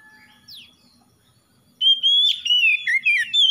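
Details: Oriental magpie-robin (kacer), a training recording for a mute or lazy bird, breaks in after quiet faint notes with a loud sustained whistle dropping into warbled, twisting phrases and sharp high chirps.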